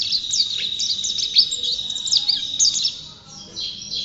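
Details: Champion white-eye in full song: a fast, continuous stream of high, thin chirps and twittering notes, with short sweeping whistles over a steady high tone, briefly softening near the end.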